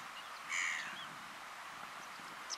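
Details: Great black-backed gull (Larus marinus) at Quiberon, France, in June 2020, calling: one brief, clear note over a steady hiss of wind or surf.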